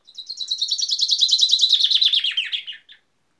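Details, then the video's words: Common chaffinch singing one full phrase: a rapid, rattling series of repeated notes slides steadily downward in pitch, then ends with a brief flourish, against a clean, quiet background. "İspinoz sesi"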